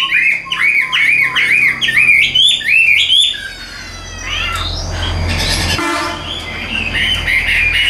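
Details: Tame caged Chinese hwamei singing while carried by hand: loud, rich whistled phrases repeated in quick rising-falling runs, then a looser warbling stretch over a low hum of background noise.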